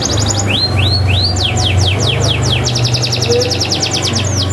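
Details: Energetic canary song meant to set reluctant canaries singing: brisk trills, rising and falling whistled slurs and rapid repeated notes in quick succession, with a constant low droning hum underneath.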